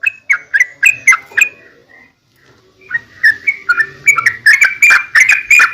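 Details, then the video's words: Yellow-vented bulbul giving lively song used to provoke other bulbuls into answering: several bright gurgling chirps, a brief gap, then an accelerating run of clustered, bubbling notes. "trucukan gacor ROPEL PANJANG buat pancingan trucukan agar bunyi"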